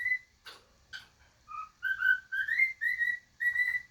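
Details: A content female pet cockatiel whistles a varied tune of clear notes sliding up and down, with a few short clicks, singing If You're Happy and You Know It and the Castle theme, and doing a wolf whistle.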